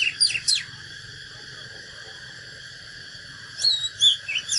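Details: Oriental magpie-robin fighting song: end of one phrase of quick downward-swept notes, a three-second gap, then a new phrase of loud whistled slurs, over a continuous high drone.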